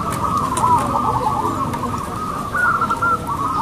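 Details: Local zebra doves at a singing competition, a crowd of birds cooing together in a steady overlapping band, with a few clearer drawn-out coo notes standing out, one rising sharply late on.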